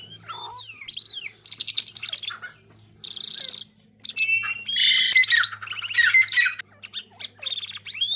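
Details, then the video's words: Irani king jal singing: a lively, varied song of fast chattering trills, buzzy notes and high whistles in bursts of a second or two, over a low steady hum. "irani king jal singing Bird"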